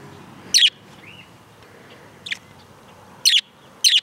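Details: Budgie kept outdoors calling in brief, piercing high chirps: one, a long pause, a faint one, then two louder ones close together near the end, over soft ambient noise.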